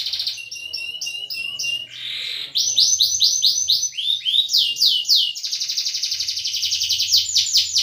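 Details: A canary sings a continuous, high run of rapid trills and rolling tours, moving from pulsed chatter into fast ringing rolls with barely a pause, used as a lure to get silent canaries singing.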